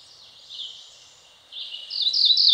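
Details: A Cerulean Warbler sings along a stream in the Ozark Plateau of Missouri, high buzzy notes that grow louder and climb into a rapid, rising buzz at the end.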